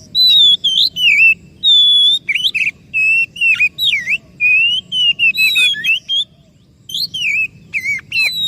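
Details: Oriental magpie-robin lure song for a bird that has stopped singing or is stressed: a busy stream of loud whistles, slurred rising and falling notes and a long steady high tone, with brief breaks.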